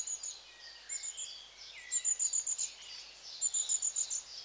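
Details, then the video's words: Long-tailed tits: clusters of five or six sharp, very high pulsed notes repeated in quick series, mixed with lower slurred twitters and descending chirps. "Charm of LongTailed Tits(Aegithalos Cauda)of Mesmerizing Sound Effects"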